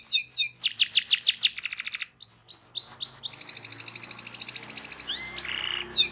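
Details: Local Indonesian canary singing as a training recording: quick downward slurred notes, a dense buzzy roll, clear rising whistles, then a long steady rapid trill ending in a bright whistle and a short rattle.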